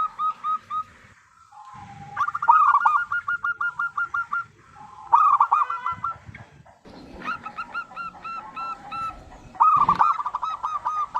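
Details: Zebra dove, local type, whose lively song is played to coax other doves into singing: bursts of fast, bubbling coos at a steady mid pitch, repeated several times with short gaps and some low background noise.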